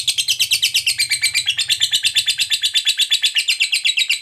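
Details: Lovebird 'ngekek' song, a long trill used to prompt other lovebirds into singing: a fast, buzzy series of high, regularly repeated chattering notes sustained throughout, with a soft low hum in the background.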